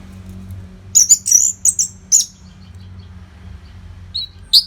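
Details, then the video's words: Orange-headed thrush singing a tutor song for training fighter birds: a short cluster of high, sharp whistled notes, a quiet gap, then a couple of thin rising notes. "SUARA MASTERAN ANIS MERAH GACOR RAPET NO JEDA"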